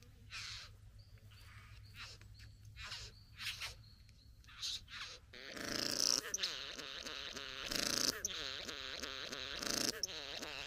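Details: Satin bowerbird courting a female at the bower: scattered hissy buzzes give way to a loud, dense run of mechanical whirring, rattling bursts with pulsing wavering tones.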